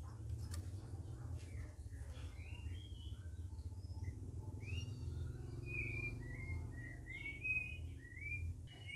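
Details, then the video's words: Several captive red-whiskered bulbuls kept together as a group, in their first week of care, give short whistled notes and slurred phrases around mid-high pitch, fairly faint over a steady low hum and background rumble. "CUCAK RAWIS OMBYOKAN"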